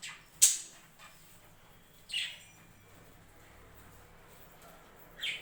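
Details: Budgerigars kept on a home budgie farm: a sharp, high click-like chirp, then two softer, scratchy calls about three seconds apart, with long quiet gaps between them.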